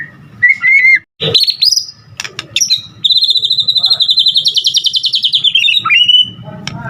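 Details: White-rumped shama bursting into full song: a short warble and harsh high notes, then a long rapid trill of high repeated notes that slowly slides lower before ending in a clear whistle.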